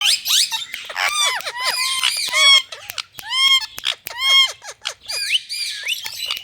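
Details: Several Indian ringneck parakeets in India chattering: dense overlapping squawks and arched, harmonic-rich screeches, some rising and falling sharply, in quick uneven bursts with brief pauses.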